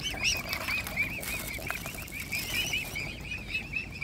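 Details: A mute swan family's cygnets, eagerly taking food offered by hand, chorus in steady bouncing high peeps. Faint rustling and splashing sounds accompany them.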